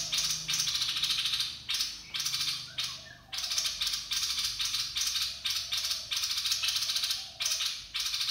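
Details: Rhythmic percussive music with bright, tambourine-like bursts repeating roughly every half second, with short pauses between phrases; no animal voice is heard.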